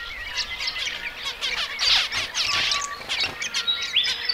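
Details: Zebra finches in a dense chatter of overlapping high chirps, buzzy harmonic notes and short thin whistles, with brief sweeping tones running without pause through the whole stretch.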